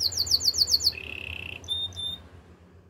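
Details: Canary singing for training: a quick series of high repeated chirps, then a short low rolling trill and a few thin high whistles fading out, with faint room hum beneath.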